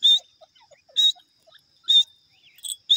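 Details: Grey francolin calling loud, harsh, high notes at regular intervals of about one second, with faint softer notes between them against a quiet background.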